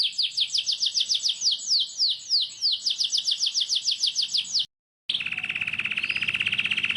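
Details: Canary song used as a lure for young canaries learning to sing: rapid run of down-slurred whistles, a brief silence, then a lower, fast buzzing roll.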